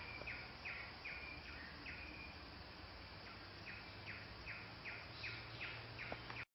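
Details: Crimson-winged woodpecker, Picus puniceus, giving a series of short, sharp, high calls repeated a few times per second, each a quick downward note, over steady background hiss.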